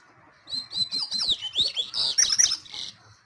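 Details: Coleiro, the double-collared seedeater, giving a continuous, fast, high-pitched warble of chirps and short slurred whistles lasting almost three seconds, with clicking sounds underneath.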